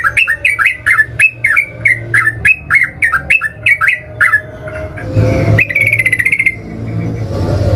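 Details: Yellow-vented bulbul (trucukan) lure song: a fast series of bubbly, slurred two-part notes lasting about four seconds, followed by rumbling noise and a buzzy pulsed trill.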